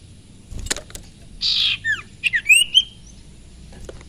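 A Mountain Tailorbird gives a quick phrase of thin, high whistles, a short buzzy burst, then sliding notes that rise to a clear peak, after a few faint clicks.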